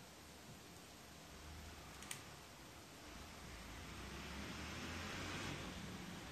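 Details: Quiet indoor hum and faint hiss, with one sharp click and no animal voice.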